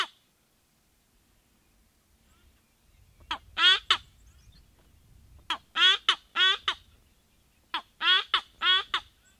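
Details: White-bellied bustard calling in Tsavo East, Kenya: harsh, croaking phrases in three bursts of clustered notes, each burst a few seconds apart, over a faint low rumble.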